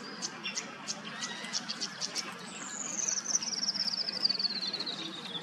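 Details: A Tawny Grassbird in Queensland, Australia gives a run of sharp, high ticking notes, then a long, thin trill sliding steadily downward. The background is quiet.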